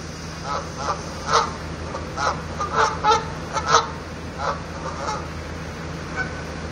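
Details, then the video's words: Several geese perched on a van honk in loose bursts, nasal and clipped, some doubled, over a constant low engine-like hum. "Geese honking on my van"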